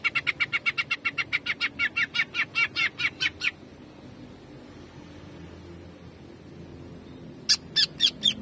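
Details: Greater green leafbird jamtrok 'shooting' song: a long, very rapid train of around twenty sharp, evenly spaced chirps, silence, then a short renewed burst of loud notes.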